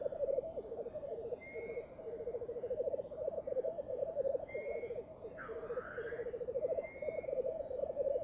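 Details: Black Grouse lekking on a Swedish bog at dawn, early in the season, bubble continuously in a low, pulsing, dove-like murmur, with one hissing rush midway. Thin whistled notes from other birds sound repeatedly above.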